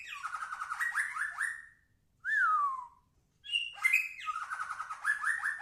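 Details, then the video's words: Energetic white-rumped shama song: a rattling trilled phrase, a pure falling whistle after a pause, then another burst of sharp notes and fast stuttering trills, in a quiet setting. "BURUNG MURAI BATU GACOR"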